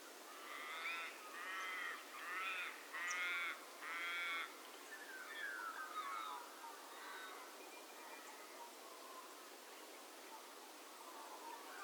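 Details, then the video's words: Australian magpies at Minimay in an Australian conservation reserve, recorded in January: five loud, throaty, harmonic-rich notes in quick succession over four seconds, then softer descending warbled phrases that fade out over steady background hiss. "Magpies at Minimay"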